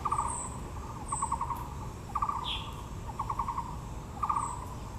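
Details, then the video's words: Taiwan blue magpie at Yangmingshan National Park, Taipei, among azaleas: short harsh rattling bursts of rapid clicks, repeated roughly once a second, with brief higher chirps from other birds in the background. "台北 陽明公園 (藍鵲+杜鵑花)(Natural sound)"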